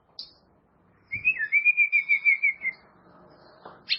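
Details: White-rumped shama training song for caged birds: a brief high note, then a sustained wavering trill that rises and falls in even pulses, ending with a sharp high note.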